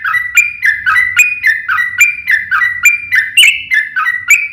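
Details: Long fighting song of a yellow-vented bulbul, meant to provoke other birds into singing: steady, rhythmic bubbling notes that step down in pitch, repeated about three times a second.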